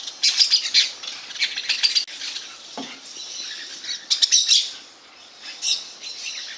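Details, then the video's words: Parakeets utter quick series of shrill, grating squawks, clustered at the beginning and again near four seconds, with softer chatter between and a faint thud. "Maritacas (ou como é bom ouvir os pássaros)"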